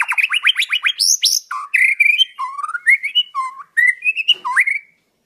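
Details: Wild white-rumped shama, Indonesia, its song meant as a model for captive birds: quick upswept strokes in series, then a varied sequence of short whistled notes rising and falling at different pitches, ending abruptly.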